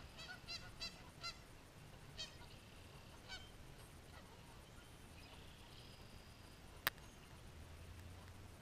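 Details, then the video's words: Geese fighting, caught by chance; a few short harmonic honks come in the first seconds, then the birds go quiet over steady background hiss and a single sharp click. "Fighting Geese"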